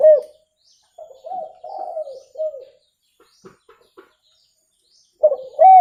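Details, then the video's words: Spotted dove calling, a clear recording for luring birds: a series of soft, low, hoarse coos, some arched, then a pause with faint clicks before a loud arched coo at the end. "SUARA TEKUKUR JERNIH COCOK UNTUK PIKAT"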